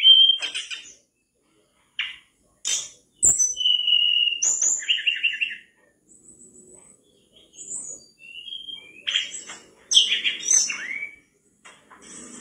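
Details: Javan mangrove whistler song for training cage birds: varied whistled phrases, pure level whistles, slurred notes and buzzy bursts in bouts separated by short silences, with high sharp chirps mixed in.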